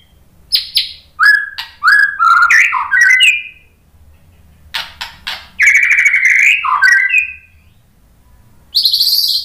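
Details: White-rumped shama (murai batu) song played to make other birds respond: short sharp notes leading into loud slurred whistled phrases, a pause, then a long buzzy rattling phrase with falling whistles and a final high burst.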